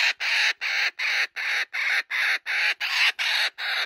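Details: A male laughing kookaburra at a sanctuary laughs maniacally over a stolen joey's toy: strong, raspy bursts repeated almost three times a second, evenly paced.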